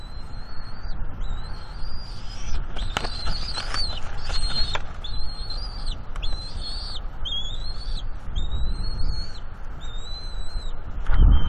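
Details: Juvenile bald eagle on its nest, April 19, 2021, mantling over fish and claiming them from its parents: high, thin whistled notes that slur downward, given in quick repeated bursts, with wind rumble and a few wingbeat-like thumps.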